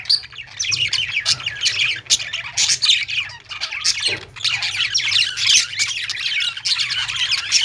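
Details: Budgerigars in a pet store chatter together, a dense, nonstop warble of high squeaky chirps and scratchy notes, over a steady low mechanical hum.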